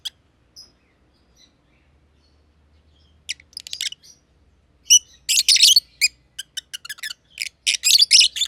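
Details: Green personata and green pied personata lovebirds in an aviary; near-silence with a few faint squeaks at first, then loud buzzy high chirps building into rapid chatter during the second half.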